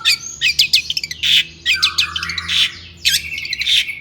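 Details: Agitated song of a persistently singing long-tailed shrike, used as bait to provoke other shrikes into singing: harsh broadband bursts and rapid chattering notes, with a sustained buzzy phrase near the middle and a faint low hum behind.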